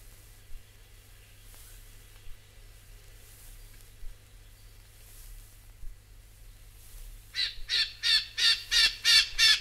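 Rufous Scrub-bird giving a burst of seven loud, harsh, ringing notes, about three per second, after several seconds of near-silence with faint clicks and a low hum.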